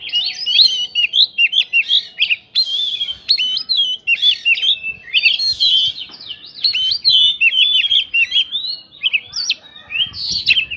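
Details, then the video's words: Long trigger song from an Oriental magpie-robin, filled with prinia-like phrases to make other birds respond quickly: a vigorous stream of sharp whistled zigzags and chips, fast and sustained for over ten seconds. "PANCINGAN KACER BIKIN EMOSI ISIAN PRINJAK BIKIN BURUNG LAIN CEPAT RESPON GACOR"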